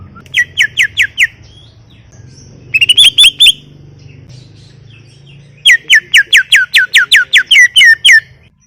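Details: Cucak ijo, a greater green leafbird, singing gacor: three bursts of loud, sharp, down-slurred chirps repeated quickly, separated by quiet pauses, over a low steady hum.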